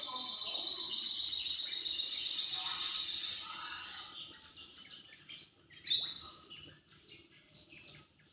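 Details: Sunbird with a fast, high, sustained buzzy trill lasting about three seconds that fades, followed after a pause by one sharp, loud rising note.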